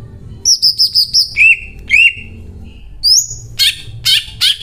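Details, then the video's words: Greater green leafbird singing persistently, its song loaded with learned cililin phrases: a rapid run of five high bouncing whistled notes, then lower slurred chirps, a rising whistle and harsh buzzy bursts, over a faint low hum. "CUCAK IJO MEWAH BONGKAR ISIAN CILILIN GACOR DOR"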